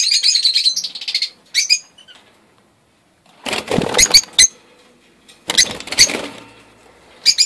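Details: Young rosy-faced lovebirds, first chicks of 2013, give high, rapid, chattering chirps, then two bursts of rustling and fluttering noise.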